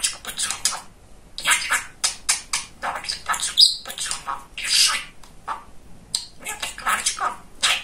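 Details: Very talkative male budgerigar kept as a pet, delivering long stretches of hissy, high-pitched chatter and mimicked syllables with brief quiet gaps between phrases.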